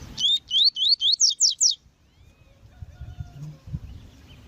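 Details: Female rusty-collared seedeater calling to excite males kept for song contests: six or seven sharp upward-slurred whistles in quick succession, then quiet with low background rumbling.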